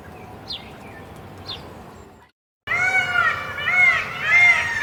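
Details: Caged peacock: near-silence with faint ticks, a short break, then loud, harsh, harmonic honking calls given in quick succession, each note arching up and down.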